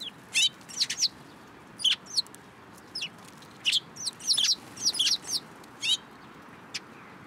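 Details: Sparrows gathering in a cherry tree at a Tenmangu shrine on 21 March 2023, giving bright, short, high chirps in scattered bursts of one to three notes, about a dozen over seven seconds, over a soft background hiss.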